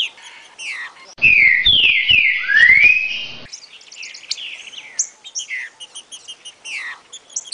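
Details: Green-winged saltator giving its "60 boi" song, meant for teaching young birds. A strong burst of rich slurred whistles, dipping then sweeping upward, dominates the first half, followed by scattered sharp high chirps.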